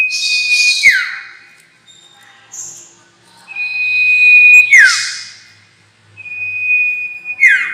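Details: Sirtu call played as a lure for bird trapping: three cycles of a long flat high whistle ending in a clicking downward swoop, with short buzzy chirps between them.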